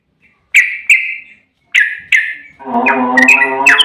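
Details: Yellow-vented bulbul, song used as a lure for other bulbuls: four loud, sharp chirps in two pairs, followed by a denser, harmonic-rich warbling passage with rising whistles over it.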